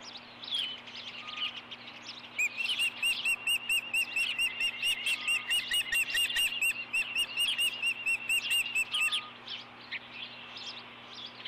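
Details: Osprey at the Dunrovin Ranch nest, 4 April 2014 late morning, male arriving with a fish for the female; scattered chirps, then a long fast run of clear whistled piping notes, over twenty in a row.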